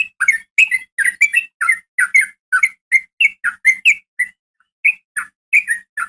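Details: Female sooty-headed bulbul calling a male with a fighting sound: a long string of short, chirpy, slurred notes given steadily about three per second, some rising and some falling, with brief pauses between runs.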